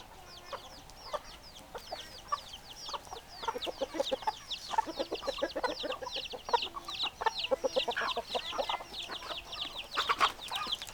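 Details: A flock of chickens clucks and chatters nonstop, dense rapid high chirps layered over lower stacked clucks, growing busier and louder from about four seconds onward with sharp sudden squawks near the end.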